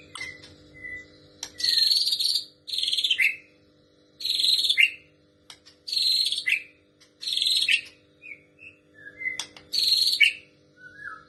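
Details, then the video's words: White-rumped shama of the Trotol type singing female prinia material: repeated harsh buzzy bursts separated by short whistled notes, with a faint steady hum beneath. "Murai batu Trotol membawakan materi prenjak betina"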